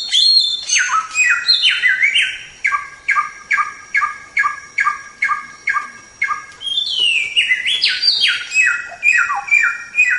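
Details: White-rumped shama song recorded as a tutor track: rich descending whistled slurs open and close a run of short, bright two-tone notes repeated about twice a second.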